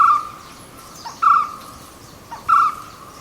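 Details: White-cheeked Barbet from Kerala, a garden bird that comes to eat ripe rose apples, guavas and papayas, giving low, hollow hooting notes, each with a soft lead-in, repeated about every 1.2 seconds over faint hiss.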